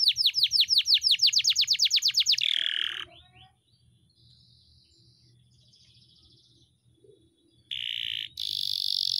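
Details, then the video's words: Canary's long rolling song for training kept birds: a fast, loud, regular trill of sharp notes for over two seconds, a rough falling buzz, a long quiet gap, then harsh buzzy bursts. "masteran kenari gacor,gacor (durasi) panjang ngeroll"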